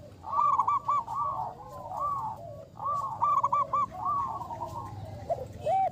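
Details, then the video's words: Local zebra doves, a champion lure bird with a loud voice, in active song. Phrases of fast trilling coo notes run into slurred, wavering tails, repeating in two main bouts with a few scattered notes after. "Perkutut lokal gacor jawara pikat.suara besar."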